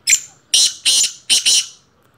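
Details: Black francolin (kala teetar) in its first season, giving a loud, harsh, grating call of five rasping notes within under two seconds: one short opening note, then two close pairs of scratchy bursts, with a quiet background.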